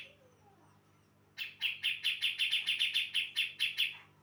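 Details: Female brown-cheeked bulbul from Java singing to lure males: after a quiet start, a rapid run of about eleven bright, clipped notes repeated steadily, each a short sharp burst, with faint low hum beneath.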